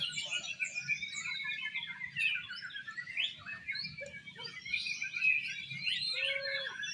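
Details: Singing-contest Oriental magpie-robins in exotic style pour out continuous layered warbling, quick whistles and buzzy trills that rise and fall without pause, plus a short lower whistled note near the end over faint background rumble.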